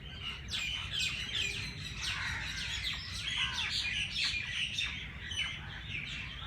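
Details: Early in the morning at Jilani Park race course, Lahore, birds chirp densely. Rapid, sharp downslurred chips and twitters pour out in a lively chorus with little background noise.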